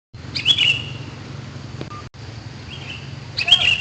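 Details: Sooty-headed bulbul, played as a lure call to attract wild birds: two short bursts of bright, slurred chirping notes about three seconds apart, with a low steady hum underneath.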